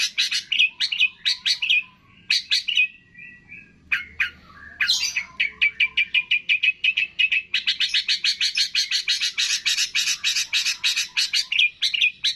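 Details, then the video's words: Long-tailed shrike training song packed with imitations of cililin, fighting sparrow, lovebird, tengkek and kapas tembak: varied high chirps and squeaky phrases with brief pauses, turning into a fast, steady run of sharp repeated notes after six seconds. "MASTERAN CENDET ISIAN CILILIN, GREJA TARUNG, LOVE BIRD, TENGKEK, KAPAS TEMBAK"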